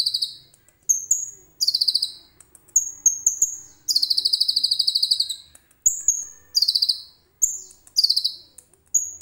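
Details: Common iora, its song filled with cililin material, alternates short high whistled notes with bursts of fast, harsh buzzing trills, one lasting nearly two seconds, in a lively broken sequence over nine seconds.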